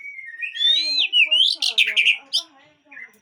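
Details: Aceh white-rumped shama from a breeding setup giving a strong, ringing whistled phrase that swoops upward, then a cluster of loud harsh notes and a soft closing whistle.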